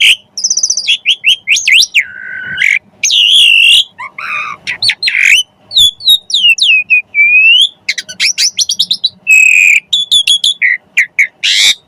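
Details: Javan pied starling song as kacer training material: dense and varied, with harsh squawky notes, rasping tones, fast rattling chips and long looping whistles.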